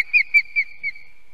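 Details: Osprey at an Estonian nest on the evening of 2 July 2020, while a goshawk takes the second chick. Four short, clear, high whistled notes follow one another quickly, each slightly falling.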